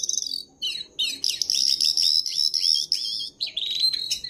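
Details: High-pitched Jongkangan master song to make kept birds sing more: short chirp bursts separated by brief gaps, then a long fast rattling trill with downward-sweeping notes.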